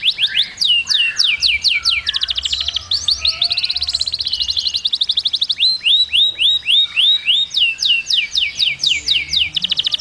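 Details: Singing canary training its chicks: loud, varied, high-pitched phrases of repeated down-slurred notes at about four per second, mixed with dense buzzy trills and curved whistled syllables, delivered without pause.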